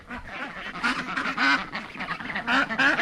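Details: Several domestic ducks on a homestead in summer quack in nasal, overlapping bursts, a few each second, rising and falling in loudness.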